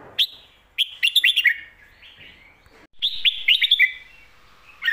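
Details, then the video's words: Caged Red-whiskered bulbul trained for Thai song competitions delivers two lively phrases of sharp whistled chirps, each a quick tumbling series of about five notes, with a softer warble between them. "ลากหวาย+แม่บท สลับวางเพลงชัดๆ นกแข่งอาชีพ"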